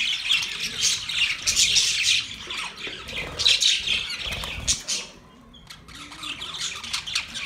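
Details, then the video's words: Budgies singing while mating: busy raspy warble and chirps from several birds, dropping briefly to a quieter chatter near the end before resuming. "Budgies Parakeet Singing | Budgies mating | Budgies birds chirping sound"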